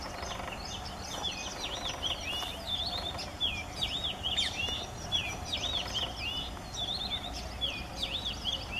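Male Oriental magpie-robin singing a continuous run of varied, sweet whistled phrases, rising and falling, over a steady low hum of background noise.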